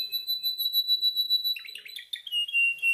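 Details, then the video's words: Caged male canary practicing its song in training, giving a sustained high pure tone with fast pulsed trilling, then a jumble of quick varied notes ending in a lower rolling trill. "Your canary sings immediately when he listens to this canary singing"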